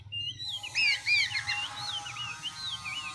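A black-throated laughingthrush sings rich, looping whistles that rise and fall, shifting phrase after phrase without pause, over a faint low hum.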